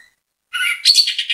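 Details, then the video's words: Anis kembang (orange-headed thrush) bait song for making other thrushes sing: a dense, slightly harsh burst of high warbled chirps packed together, lasting under a second. "ANIS KEMBANG GACOR MEMBUAT ANIS KEMBANG IKUT BUNYI, PANCINGAN ANIS KEMBANG"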